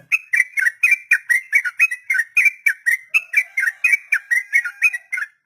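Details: Long 'ropel' song of a sooty-headed bulbul, used as a model for untamed birds: quick, evenly spaced whistled syllables, about four per second, each sliding downward. Clean, silent background.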